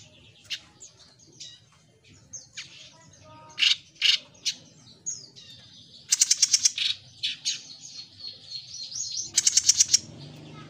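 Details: Lively Jenggot mini song: scattered high chirps and short whistles, then rapid stuttering trills of quickly repeated sharp notes, each burst lasting about a second.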